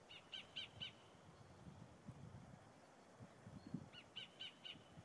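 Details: Sacred kingfisher calling from a tree in forest on the west coast near Auckland, New Zealand. It gives two bursts of three harsh, evenly spaced "kek" notes about four seconds apart, over a low rumble of wind.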